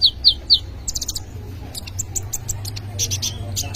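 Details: Brown-throated sunbird in full isian song: three sharp, bright chirps open the phrase, followed by a spray of thin, high ticking notes and faint twitters against a steady low hum.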